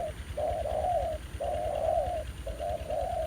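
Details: Wild spotted dove, a spirited newcomer lured by a ground decoy at a trapping site. Close, loud, hollow cooing in drawn-out phrases, each a short note followed by a longer, slightly wavering one, over faint low background hum.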